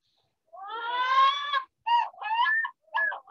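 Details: A Pacific Loon, a summer breeder on coastal lakes and ponds of the Chukchi Sea coast, gives a wail or yodel: a long, wailing, harmonic note of about a second, then three shorter, broken, yelping phrases in quick succession.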